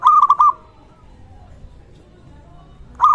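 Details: Local zebra dove in full voice, used to prompt other zebra doves to sing and to raise their arousal: a quick run of four soft cooing notes, then quiet, with another cooing phrase starting at the end.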